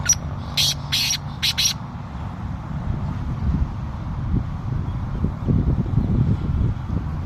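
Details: Male black francolin calling: a quick burst of four or five harsh, rasping broadband notes packed into under two seconds, followed by steady low rumbling background noise.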